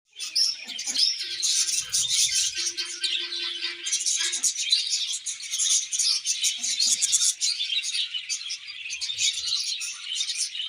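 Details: Budgerigars chirping in a dense, continuous chorus of high, scratchy chatter and rapid twitters, with a brief low hum partway through and faint knocks in the background.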